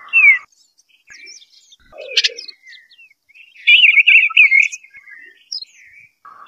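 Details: Eastern bluebird singing its melodious song: scattered soft chips and a sharp tick, then a long run of quick warbling notes wavering up and down, trailing into faint chatter.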